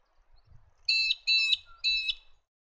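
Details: Little Eagle in Australia giving three loud, ringing, harmonic whistled notes, each about a quarter second long, with brief pauses between them, over a quiet background.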